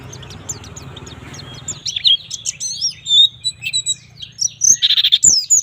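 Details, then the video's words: White-eye song in the 'gacor nembak' style, used to train young white-eyes to sing: a steady hiss at first, then quick high thin chirps and slurred whistles, ending with a short buzzy note and more twittering. "suara pleci gacor nembak"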